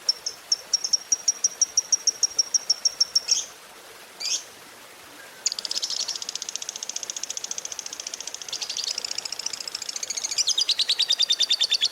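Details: Fighter lovebird in the long ngekek style, played to spur silent lovebirds. Regular high ticks lead into a long, dense, buzzy rattling trill that ends in a sharper, louder chatter.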